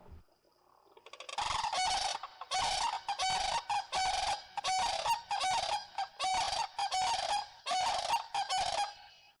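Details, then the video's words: Sandhill Cranes in the mating and courtship season giving a loud unison call: a rolling, rattling bugle in about a dozen rapid bursts over eight seconds, paired birds calling back and forth in a rough duet. "Sandhill cranes during the mating and courtship season will actually let out a loud crowing sound"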